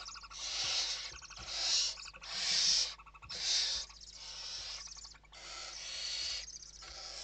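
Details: Western barn owls in an indoor nest in Spain at evening feeding, 29 November 2023: a series of harsh hissing screeches roughly every second, with rapid chittering notes between bursts.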